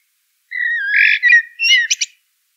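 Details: A common blackbird sings a short, rich whistled phrase that slides down, then a softer warble and two brief high squeaks to finish, against a quiet background.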